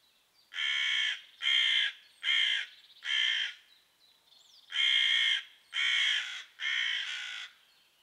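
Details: Eight loud rasping caws in two bursts of four, from crows scolding a pine marten in their patch and rattling her with dropped twigs until she flees.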